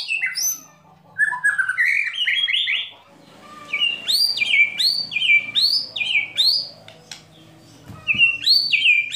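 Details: White-rumped shama in crackling 'kretekan' and 'tembakan' song meant to provoke rivals: rising whistled glides, then a rhythmic series of repeated two-part whistled notes, about two per second.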